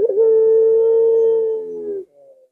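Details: One long, even, low-pitched coo from a puter collared dove, held for about two seconds and fading slightly at the end, then a faint trailing note. This is the long arched 'lengkungan' style.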